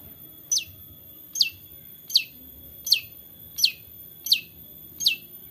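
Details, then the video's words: Long-tailed shrike, 'toet toet' lure recording from Central Java, Indonesia, captured with an Android phone: seven sharp, high, downslurred notes repeated roughly every three-quarters of a second, clean and evenly spaced, over low background noise. "TOET TOET CENDET GACOR ISIAN untuk pancingan cendet malas bunyi JADI LEBIH NGOTOT DAN GACOR"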